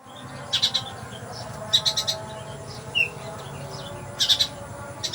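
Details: Caged oriental magpie-robin kept in Palembang, singing in the sparrow-like 'rasa gereja' style: short bursts of sharp, high chirps in quick clusters, separated by pauses of about a second, with one brief slurred note and a faint hum underneath.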